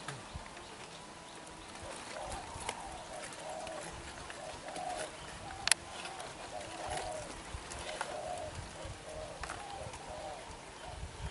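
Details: A young wild-caught, black-eyed spotted dove coos very vigorously, repeating low, soft, hollow coo phrases every second or two, with a man speaking quietly and a single sharp click.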